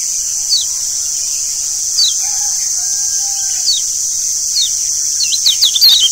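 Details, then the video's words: Lemon-bellied white-eye (Lombok kecial kuning) lure call, meant to keep kept birds healthy and singing: quick, thin, high descending notes come in short bursts, quickening near the end, over a steady loud hiss. "Pancingan Kecial Kuning Ampuh Bikin Kecial Jadi Sehat Dan Rajin Bunyi"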